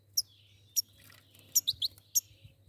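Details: Pair of goldfinches: bright, high, clipped chirps at irregular intervals. A thin, wavering twitter runs between them, and a faint low hum sits beneath.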